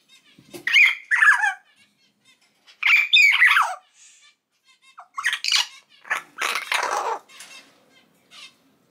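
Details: Captive common hill myna chick aged three months, sex not yet known and not yet talking: raspy, buzzy squawks with falling sweeps, delivered in clustered pairs with quiet pauses between.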